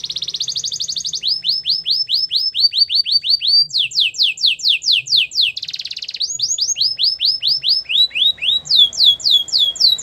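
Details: A Spanish Timbrado canary pours out varied song, with a metallic buzzing trill, runs of rapid downward-sweeping whistles and stretches of dense rolling trills, shifting in pitch from phrase to phrase.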